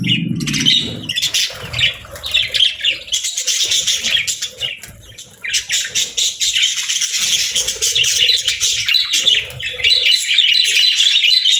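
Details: Budgerigar parents and chicks bonding while being fed: bursts of high chirping chatter with brief gaps early on, becoming a steady, dense warbling flow, plus soft fluttering.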